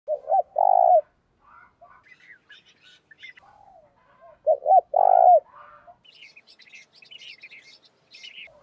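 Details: Decoy spotted dove calling to provoke rivals: two loud, low coo phrases about four seconds apart, with fainter twittering and higher chirping notes from other birds in between and afterward.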